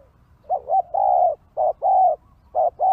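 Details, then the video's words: Spotted dove cooing, used to lure wild birds: low, hollow coos with a short double note followed by longer drawn-out coos, in a phrase lasting about two and a half seconds over a quiet background. "Pikat Tekukur Di Hajar Burung Liar"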